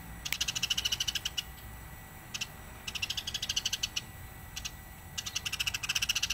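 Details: House sparrow in energetic calling form, captured as a master recording to teach other songbirds: rapid runs of high, rattling chirps delivered in four bursts with silent gaps of about a second between them, over a faint constant hum.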